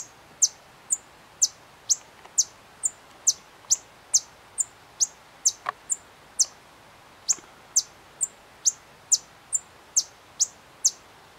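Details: A White-vented Violetear in Candói, Paraná, Brazil, gives sharp, very high chips, about two a second in an uneven steady series, each a thin descending tick; nothing else heard.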